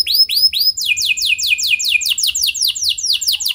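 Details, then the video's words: Canary singing, recorded to train other canaries: three high arched whistles followed by a steady run of sharp downswept notes repeated about four times per second. "Kenari Gacor Lagu Mewah! Buat Kenari Mana Saja Bakalan Langsung Ikut Gacor Panjang"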